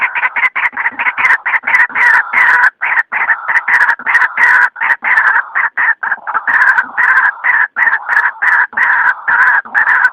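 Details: White-breasted waterhen lure call played at night: loud, harsh croaking notes repeated in rapid, steady bursts with only brief pauses, continuing throughout without other clear sounds.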